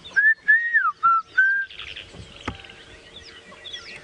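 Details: At sunrise on 12 Nov 2016, near a river drop-off with an unseen mixed bird party, a black-crowned tchagra gives four loud, clear whistled notes, not its full call, level then slurring down; softer calls from other birds follow.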